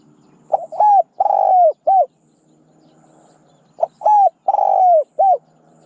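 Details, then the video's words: Spotted dove cooing two phrases, each a short soft note, a clear coo, a long drawn-out purring coo that slides down, then a brief final coo. Quiet gap between phrases. "ສຽງນົກເຂົ້າໃຊ້ຕໍ່ (นกเขาใหญ่)"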